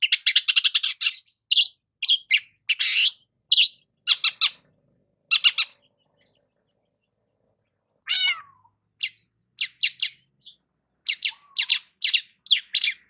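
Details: Long-tailed shrike singing while sunbathing in the morning: a rapid string of scratchy, harsh chips and rasps, then sparser grating notes, one wavering downward whistled trill near the middle, and renewed quick chattering at the end.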